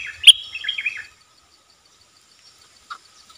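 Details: Brief bubbling, warbled phrase with one piercing high note from a wild bulbul that holds off from a cage, likely because it has chicks in the nest, then near silence with a single soft note.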